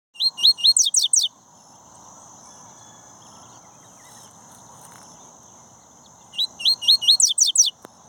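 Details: Double-collared seedeater (papa-capim) from a breeding aviary, coleiro tui-tui style: two bursts of song, each with three or four rising slurred whistles followed by quick, sharply falling high buzzy notes, separated by a quiet pause with faint background hum.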